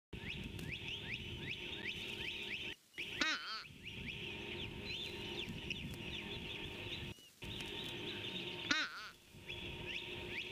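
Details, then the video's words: Fish crow in the background of a Skidaway Audubon nest cam, morning of 26 February 2019, giving two short, nasal, honking "uh-uh" calls about five seconds apart over a busy chorus of high chirping birds. "Fish Crow calling"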